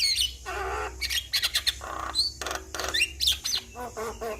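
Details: Javan myna giving a busy song as a lure for a stressed bird: dense harsh chatter, buzzy squawks and quick high whistles tumbling together without pause.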